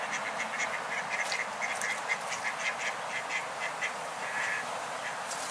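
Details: Eastern spot-billed ducks, 2020, as orphaned ducklings approach adult ducks hoping to be adopted; short rough quacking notes repeat rapidly in bursts over steady background hiss.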